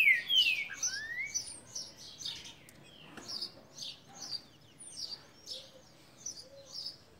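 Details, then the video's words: Green-winged saltator opening with a loud, clear whistled phrase that slides downward, followed by a run of quick, high chirps repeated about three times a second. "Trinca ferro boi"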